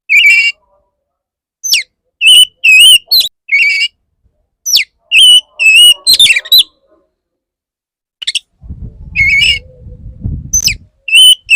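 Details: Male Oriental magpie-robin in courtship song toward a female: varied whistled notes and sharp slurred chips in irregular bursts, with a low rumbling noise under the later phrases.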